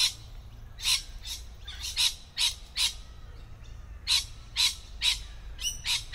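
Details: Loud, grating screeches from lorikeets in a tree, each a short harsh blast, repeated about every half second in uneven runs with brief gaps.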